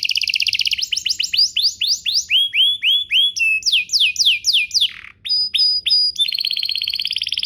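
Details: Canary song used to trigger singing in other canaries: rolling trills, repeated rising slurred whistles, sharp downsweeps, a low dropping note, high clipped whistles and a closing buzzy trill.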